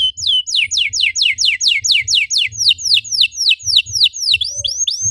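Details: Canary stimulating song: bright, steeply descending whistles repeated about four times a second, steady and clear, with a faint low thumping underneath.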